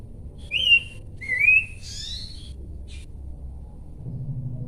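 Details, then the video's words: Bush babbler song of two loud, pure whistled notes, the first falling and the second rising, followed by softer fainter whistles. "UNIKNYA SUARA DAN GAYA BERKICAU BURUNG PELANDUK SEMAK"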